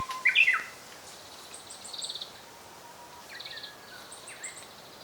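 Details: Japanese robin recorded in 2014 while bird watching: a short loud burst of jumbled, tumbling notes at the start. Faint steady tones and other birds' high trilled series follow, over a quiet natural background.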